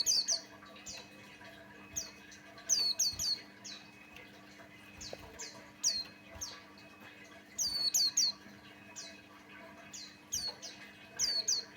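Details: Buxtoni white-eye singing as a lure to set off other white-eyes: clusters of high, thin, downward-sweeping chirps in fast runs separated by short pauses, over a faint constant low hum.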